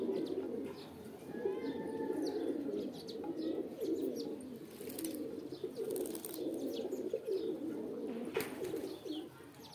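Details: Pigeons give a mating call: a rolling murmur of low coos from several birds, with clicking taps and scattered bright chirps of small birds above.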